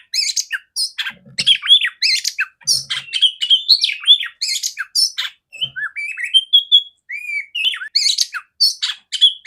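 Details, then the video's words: Female oriental magpie-robin kept to tutor other magpie-robins, singing a busy varied song: harsh chatters and scratchy notes alternating with drawn-out whistled slurs, a few soft low thumps in the background. "Terapi burung kacer betina suara besar jernih kacer jantan"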